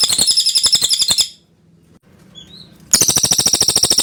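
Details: Pin-striped tit-babbler, a recording used to train white-rumped shamas: rapid run of hard, clipped notes with bright high overtones, about a second long, then a pause holding one faint slurred note, then another fast chattering run.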